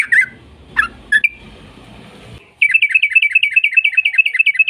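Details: Sooty-headed bulbul song used to provoke other bulbuls into singing: a few scattered sharp notes over low noise, then a steady, rapid series of bright repeated chirping notes.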